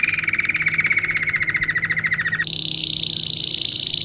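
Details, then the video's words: Domestic canary song for teaching young birds. A dense, slightly falling rolling trill shifts suddenly into a very high, fine buzzing trill. "Canário Do Rei Canto Lindo Para Filhotes Em Treinamento"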